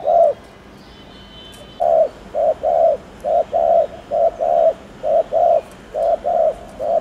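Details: Spotted dove giving repeated coos, intended to get birds cooing quickly: one coo, a silent gap, then a steady series of low, rounded double notes about one per second.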